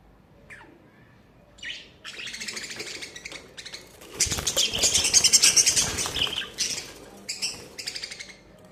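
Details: Summer budgerigar chatter, loud and busy: a long stretch of rapid buzzy warbling and squeaky chirps that swells to a dense peak in the middle, then breaks into shorter bursts.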